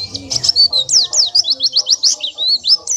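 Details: Oriental white-eye singing as a master recording for training songbirds: rapid series of high, thin whistled notes and sharp chirps, many sweeping up or down, delivered in a fast, unbroken chattering stream.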